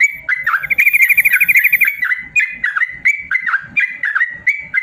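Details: Yellow-vented bulbul ropel song used as a training recording for idle caged birds: opens with a rapid chattering trill, followed by fluty dipping whistled phrases repeated about three times a second.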